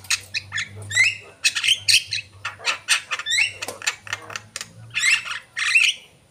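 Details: Javan myna in active, full song: a fast run of harsh squawks, rising whistled notes and buzzy chatter, with a faint low hum underneath.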